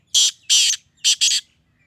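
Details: Black francolin of the Sindhi type giving a loud, rasping call of four harsh, buzzy notes in two pairs, each note lasting a fraction of a second. A faint low hum sits underneath.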